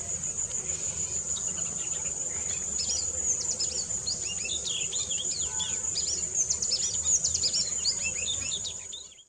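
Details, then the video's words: Oriental magpie-robin giving quick, varied whistled notes and short slurred chirps in bursts, over a steady high insect drone. "Oriental Magpie Robin Call"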